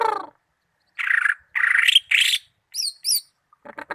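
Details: Greater green leafbird (cucak ijo) from Malinau giving harsh buzzy bursts, then two high paired whistled notes and a short rattle of quick notes.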